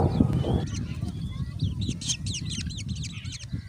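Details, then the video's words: Growing Black drongo chicks demand food. After a short low rumble, rapid high, scratchy begging notes come several per second for about three seconds, over a steady deep background rumble. "Black Drongo bird's Growing Chicks Demand More Food!"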